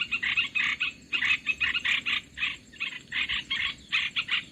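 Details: Olive-winged bulbul, played to lure birds into traps: harsh chattering notes bunched into clusters of three to five, each burst about a second apart.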